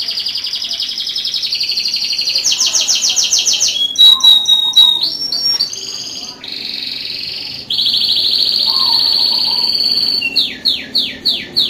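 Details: Champion canary in varied song: sustained high rolled trills changing pitch every few seconds, a short metallic chatter, a lower warbled segment, then a run of quick downward-swept notes repeated several times.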